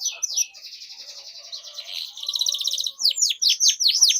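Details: Canary singing a long song meant as a lure so young canaries learn their sounds: extended buzzy rolling trill with rising phrases, followed by loud, quick descending sweeping notes in a rapid series.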